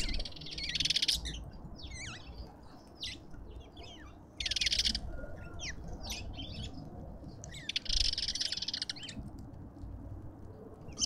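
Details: Lovebirds at a feeder in a suburban garden in Pretoria, South Africa, giving bursts of shrill, high chattering shrieks in three dense clusters, with scattered sharp chirps between them and a low background rumble.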